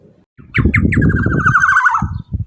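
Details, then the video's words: Black-naped oriole song used as a lure to set other orioles singing. Quick rising notes lead into a long, buzzy, descending roll, heard over heavy low thumping and rumbling noise. "Pancingan Burung KEPODANG EMAS Super LANTANG pancingan agar kepodang lain ikut BUNYI & EMOSI"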